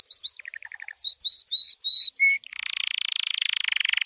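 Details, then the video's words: Training song of a white canary: quick chirps and a short buzzy run, then sustained clear whistled notes, ending in a dense rapid rolling trill. "White Canary 12h Singing - The Best Training Song"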